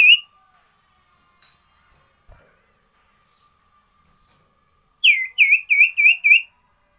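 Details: Sooty-headed bulbul variation song: a brief whistle at the start, a long quiet stretch with a low hum, then a burst of five rapid dipping whistled notes.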